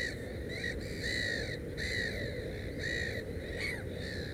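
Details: Black-headed gull at a nest with three chicks, giving a series of short, arched, slightly nasal calls about every half second over a steady low rumble of background noise.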